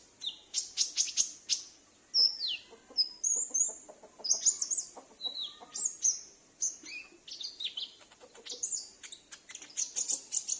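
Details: Captive sunbird (konin) kept at home, answering another wild bird; used as a lure for wild or escaped sunbirds. High thin sweeping whistles and sharp ticking chirps in fast irregular bursts, with a second bird's brief lower slurred notes.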